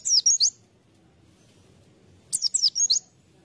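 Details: White-eye used as a lure bird, singing two short phrases of high, thin, squeaky twitters, three notes then a longer cluster of five or six, separated by about two seconds of near silence.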